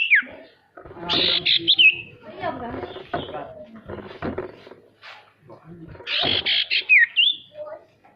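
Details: Male sirtu song used to stir lazy birds into singing; scratchy bursts with short downslurred whistles open and close the passage, with human voices murmuring in between.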